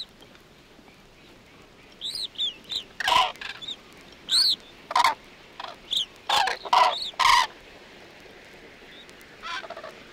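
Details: Common Crane calling at Matsalu, from a field recording album released in 1979: loud, harsh trumpeting bursts with rich overtones. About a dozen short calls come in clusters over ten seconds against a quiet background.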